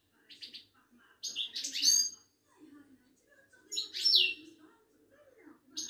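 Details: Ouidani goldfinch, a Moroccan type, at a market in Casablanca. Two loud phrases mix buzzy twitters with a piercing downward-slurred whistle, joined by softer chatter and a low background murmur.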